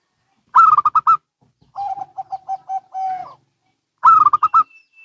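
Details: Local and Bangkok zebra doves answering each other: a loud quick burst of five clipped coos, a reply of lower evenly spaced coos ending in a long held note, then another bright rapid burst.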